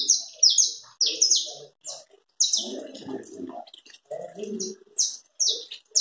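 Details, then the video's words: A saffron finch (canário da terra) sings chapinha carritilha phrases: bursts of loud, high, falling notes in quick clusters separated by short pauses, with brief human talking in the middle. "Canário chapinha carritilha."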